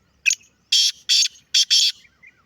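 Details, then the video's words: Black francolin calling: a short harsh note followed by four loud rasping, buzzy bursts in two pairs, each about a fifth of a second long, in a quiet setting. "Kala teetar ke"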